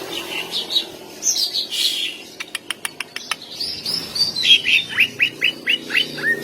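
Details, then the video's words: Greater green leafbird sings to provoke rival males and their mating urge: varied whistled phrases, a short run of sharp clicks, then a series of quick down-slurred notes repeated about twice per second. "Burung cucak ijo gacor ❗❗ tembakan panjang pancing birahi dan emosi cucak ijo lain"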